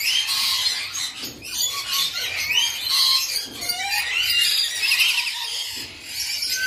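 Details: A captive breeding pair of red-collared lorikeets keeps up a dense, continuous chatter of shrill, rasping screeches and squeaky squawks, overlapping with almost no pause between them.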